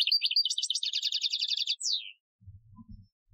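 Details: Algerian-style European goldfinch training song, 2015: a quick, rattling trill of high, buzzy notes ending in a downslurred note, followed by low thumping background noise.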